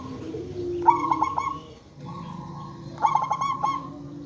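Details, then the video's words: Local zebra dove used as a lure to make other zebra doves answer: two bouts of rapid, staccato cooing notes with a clear ringing tone, each ending in a drawn-out note, over steady low background rumble and lower coos. "Perkutut lokal gacor RAJA PIKAT ahlinya bikin semua burung Perkutut gacor Nyaut"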